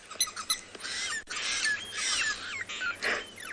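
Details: Lilac-breasted roller calling in the early morning at Tswalu Kalahari Reserve, South Africa: harsh, rasping squawks, bah, bah, bah, in uneven bursts, with sharp chirps from other birds at the start.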